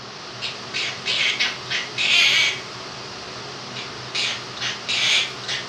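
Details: Indoor pet Quaker parrot, a two-year-old male, giving raspy sung syllables and squawky notes from his version of 'If You're Happy and You Know It', with a fan running steadily behind.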